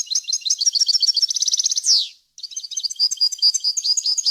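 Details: Clean European goldfinch song for tutoring young birds: a long fast twitter rising into a rapid trill that ends in a descending buzzy slur, followed after a short gap by more tinkling varied notes.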